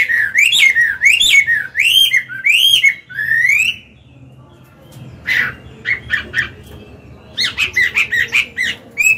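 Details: Chinese hwamei, an old wild-caught cage bird, singing to stimulate and train other birds; rolling whistled notes repeated in a wavy series, a pause, then sharper short calls and renewed whistling.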